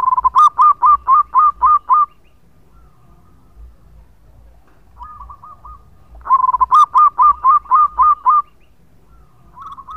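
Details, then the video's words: Actively singing local zebra dove with a long song, played as a lure. Two loud bursts of seven or eight rapid, evenly spaced cooing notes are separated by a softer trilled phrase, with another soft phrase at the end. "Perkutut Lokal Gacor Suara Panjang buat Pancingan"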